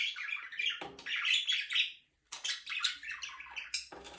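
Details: Budgie chirping in long scratchy warbled phrases, rapid squeaks and buzzy chatter, one short pause midway, a soft splashing or rustling noise underneath.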